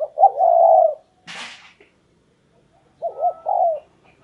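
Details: Luring decoy spotted dove giving two deep, smooth coo phrases, each a short lead-in note and a drawn-out falling hoot, separated by a brief burst of rustling or wing noise.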